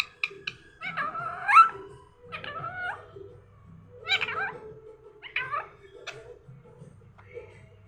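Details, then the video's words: Morning talk from a parrot: four bursts of warbling, voice-like syllables with bending pitch, separated by short pauses, with a low hum underneath. "morning orijnal telking parrot"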